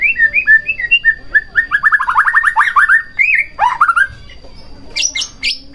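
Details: White-rumped shama song for provoking another shama to sing: repeated short whistled notes, then a fast stuttering series of downslurred notes, a rising whistle, and a few high sharp notes after a pause.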